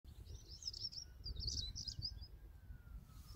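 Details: A European stonechat at Greenham Common, 28 March 2022, gives a two-second burst of high, scratchy twittering notes over a steady low rumble of wind or distant traffic.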